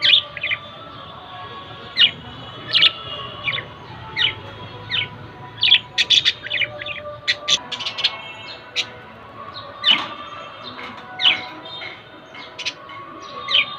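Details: Male and female budgerigars chirp in quick, bright bursts, one call following another every second or so.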